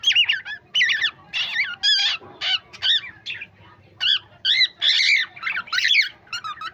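A cockatiel chatters in short, bright, warbling bursts that imitate speech.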